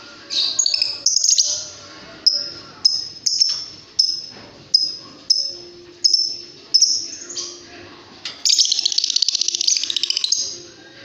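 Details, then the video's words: Pet lovebird chirping: sharp high squeaky notes repeated roughly every half second, each with a quick falling tail, ending in a rapid stuttering run of shrill notes, with soft low background sounds. "Kicau burung Love bird"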